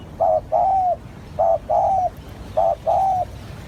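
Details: Spotted dove call played as a lure for trapping doves: three low cooing phrases, each a short note followed by a longer slightly falling coo, repeated about every 1.2 seconds in a quiet setting.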